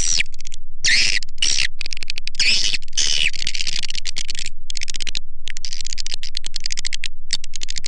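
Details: Swiftlet lure call meant to attract swiftlets to farmers' buildings: harsh, rasping squawk-like bursts and buzzy chatter, loud and broadband, separated by short silent gaps, with quicker clicking chirps toward the end.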